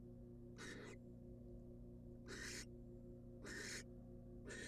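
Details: At a research-monitored nest box, a wild female barn owl given a rat by the male utters rough, hissing screeches lasting about a third of a second, spaced roughly a second apart, with constant low humming background.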